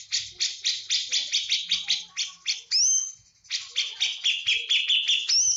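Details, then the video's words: Full 'tembakan' singing from a Javan cucak jenggot: a steady string of loud, harsh rasping notes about three per second, broken by a high whistled upslur and a short pause, then more rasping notes and another whistle. "Cucak jengot jawa full tembakan"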